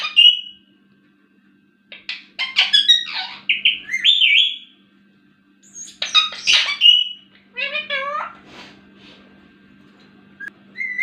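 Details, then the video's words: Pet green Indian ringneck parakeet in a small room, mixing high chirps and whistled squeaks with a brief burst of speech-like mimicry near the end, separated by short silences; faint constant hum underneath. "talking parrot | miyan mithu | ringneck parrot"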